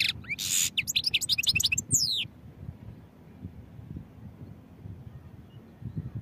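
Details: European goldfinch song over the first two seconds: fast tinkling notes, a loud buzzy block and rising liquid slurs, followed by quiet with faint low background rumble.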